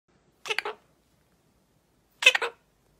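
Two short, harsh, raspy squawks from an Illiger's macaw, about two seconds apart, each broken into two or three quick parts, with silence between.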